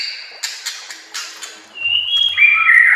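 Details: White-rumped shama song for training other shamas: a few scattered sharp clicks and soft notes, then a clear whistled phrase sliding down and swelling loudly at the end.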